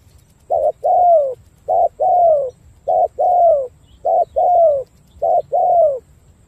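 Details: Vietnamese spotted dove from Cà Mau, prized for good cooing style. Five regular two-note phrases are heard, each a brief hoot followed by a sustained, descending coo, spaced a little over a second apart.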